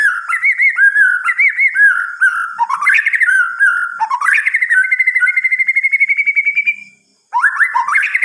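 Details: White-rumped shama singing at night: loud, varied whistled phrases, rich warbling notes followed by a long steady trill of rapid repeated notes, a brief pause, then rising whistles resume.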